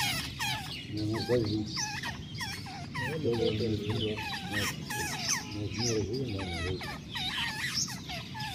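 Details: Wild jungle babbler chicks calling: a dense, continuous chorus of squeaky, U-shaped notes rising and falling, several voices overlapping, over a low rumbling background.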